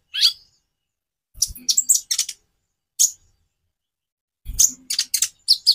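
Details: Purple-throated sunbird (konin) song variations for prompting other birds to sing: isolated shrill chips separated by silences, then a closing burst of piercing high notes over faint low thuds.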